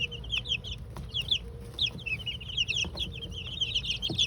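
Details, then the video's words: Chicks two weeks old, a mix of Golden Comet, White Leghorn, Australorp and Rhode Island Red, peep constantly in short bright downslurred notes while dust bathing for the first time in their coop, low background rumble beneath. "Sounds of Baby Chicks: 2 weeks old 🐥 1st Dust Bath🐥"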